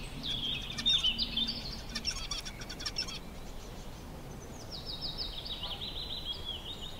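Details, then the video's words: Zebra finch, a male singing and hopping on top of his nest on a sunny day, busy with straw and string; nasal buzzy notes, then a run of rapid raspy buzzes, and later a falling series of buzzy chattering notes. "Zebra FINCH sounds"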